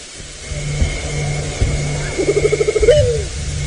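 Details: Southern white-faced scops owl played back after one was heard calling around camp in the early evening the night before: a low, rapid bubbling trill of about ten pulses rising into a short upslurred hoot, with a steady engine hum and a faint high tone beneath.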